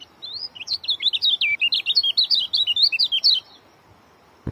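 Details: Oriental white-eye singing a fast, tightly packed run of high chirps and short whistled notes, about three seconds long, sung strongly enough to unsettle other white-eyes; faint low background hum, then a single click at the end.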